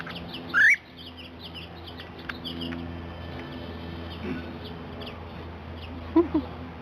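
A cockatiel gives one short, sharp, upward-sweeping whistled call over a steady indoor hum.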